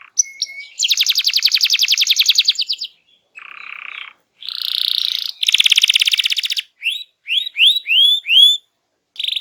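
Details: Canary in full, energetic song used to lure other birds into singing: fast buzzy trills, rattling bursts and a run of repeated rising-falling whistled notes, with short pauses between phrases.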